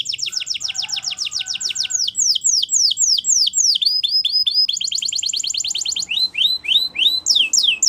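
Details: Spanish Timbrado canary song of rapid rattling trills alternating with slower series of loud down-slurred whistles, the tempo shifting several times in quick succession.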